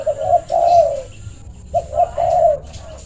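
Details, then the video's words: A trained decoy spotted dove calling others to come and play: close-spaced low coos in two phrases of three notes each, with a faint steady high whine behind. "Suara panggilan si bangor yang rapat"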